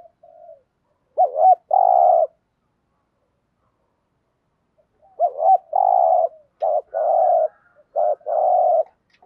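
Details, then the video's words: Spotted dove kept as a caged decoy to draw wild doves, giving thúc gù cooing: a looped double note plus a drawn-out throaty coo, then after a pause several rapid repeats of the same pattern. "tieng chim cu gáy thúc gù, chim cu gáy bài bản giúp bổi nhanh nổi"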